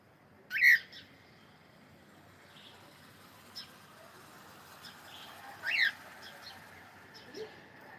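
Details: Cockatiel producing two loud, bright chirps about five seconds apart, each quickly rising then dropping, with faint softer chirps and low room noise between them.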